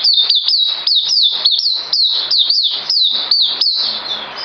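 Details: A songbird, recorded 9 December 2018, gives a steady, rapid string of high whistles, each note sliding down in pitch, repeated roughly four times a second without a break.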